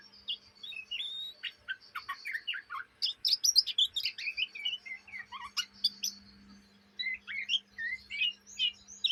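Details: Trotolan Oriental magpie-robin from Indonesia performing ngriwik chatter said to go on day and night: quick tumbling sequences of high chips, downslurred whistles and clicks, a short lull, then more chatter, over a soft hum.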